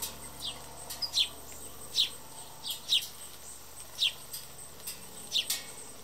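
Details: Hungry house sparrows, sometimes dozens, feeding and fighting at yard bird feeders, shoving each other off: short, sharp chirps about once a second, with soft ticks and faint background hiss.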